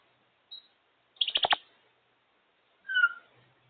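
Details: African grey parrot out of its cage and talking away: a short high squeak, then a burst of rapid harsh pulsed notes, and finally a clear two-toned whistle, with quiet gaps between the sounds.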